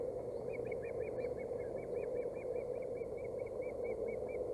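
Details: Hungry female osprey's nest in Boulder County on 16 April 2018 as fish is delivered; a long unbroken series of evenly spaced whistled chirps, roughly four per second, above a steady loud hum.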